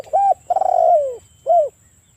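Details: Spotted dove with a big voice calling hard, meant to provoke other spotted doves: a smooth coo, a long trilled coo that falls in pitch, and a brief end coo, all mellow and low.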